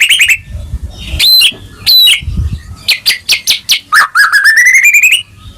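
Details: Lively white-rumped shama (murai batu) gacor song to stimulate a caged bird: a few clear whistled notes, then a quick train of sharp repeated chips leading into a rising trill.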